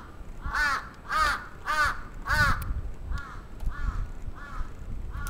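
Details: Crow attack in Atsubetsu Ward, Sapporo, Japan, on 27 June 2017: four loud, hoarse caws at half-second intervals, then a run of quieter, more distant caws, over low rumbling background noise.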